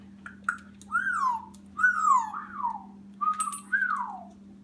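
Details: A 9.5-month-old female Congo African grey parrot whistles indoors: two short clipped notes, then several swooping, downward-sliding whistles, over a steady low indoor hum.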